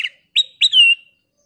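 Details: Kutilang emas, a golden-coloured bulbul, in lively song meant to coax other birds into singing: three clear whistled notes, the last a long falling slur, in a quiet setting.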